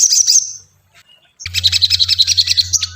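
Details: Ashy tailorbird song used to provoke a caged bird: a short shrill chirping phrase, a pause, then fast pulsing high notes about four a second over a steady low hum.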